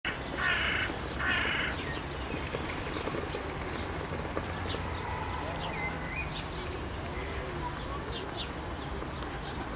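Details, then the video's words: Red-breasted goose (Branta ruficollis) flock: two loud, shrill, squeaky calls open, followed by softer scattered calls from the flock over a steady rushing background. "Bernache à cou roux / Red-breasted goose"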